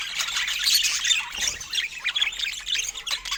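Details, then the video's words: Pet budgerigars during fruit time give dense, overlapping high chirps and scratchy squawks, rapid and irregular, forming a continuous chattering warble. "Cute Budgie Love and Funny Sweet Sounds During Fruit Time"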